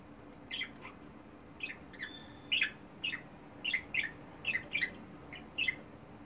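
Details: Domestic budgerigars, a colourful flock with a clownish member, give spaced short chirps, pairs of bright notes about every second, over a quiet low hum.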